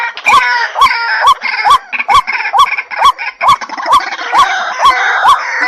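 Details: Rising, hollow, repeated notes of a White-breasted waterhen lure, about two per second, against a thick background of overlapping harmonic calls.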